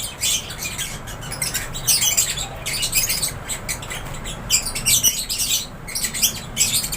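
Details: Aviary lovebirds giving a continuous chorus of harsh, high squawks and twittering chirps, many birds overlapping in irregular bursts over a faint low hum.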